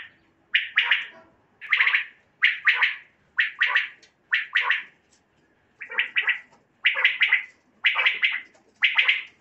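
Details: Mixed common quail voices used as a night-hunting lure. Triple-pulsed, scratchy notes come in tight bursts about once a second, with brief pauses between groups and no other sounds.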